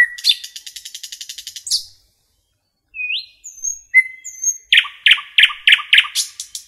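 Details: Nightingale song in a forest: a fast buzzy rattle, a pause, then single pure whistles at different pitches, followed by a loud rapid series of chock notes.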